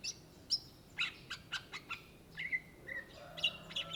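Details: Greater green leafbird, called cucak ijo in Indonesia, singing: sharp high chips about twice per second, then drawn-out whistled notes sliding down, clean quiet background.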